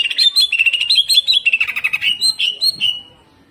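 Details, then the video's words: A greater green leafbird in hyper, continuous singing gives a rough, aggressive song, a fast, loud run of sharp whistled and chattering notes jumping between high and slightly lower pitches, ending after about three seconds. "CUCAK IJO GACOR HYPER TEMBAKAN KASAR"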